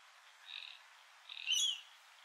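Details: A rainbow lorikeet at Heatherdale Wetlands, filmed on a Canon R7: a soft, rasping note, then a louder, piercing screech with a brief wavering twist.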